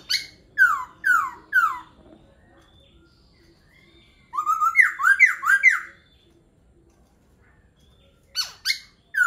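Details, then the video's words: Laughingthrush singing: three clear downslurred whistles, a pause, a fast run of about five swooping notes, then two more sharp whistles after a second gap. "Khướu hót hay."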